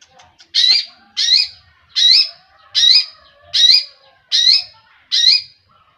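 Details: Long-tailed shrike giving harsh, grating squawks, seven loud bursts in about six seconds at a fairly steady pace, each a rasping high note with a brief slurred peak.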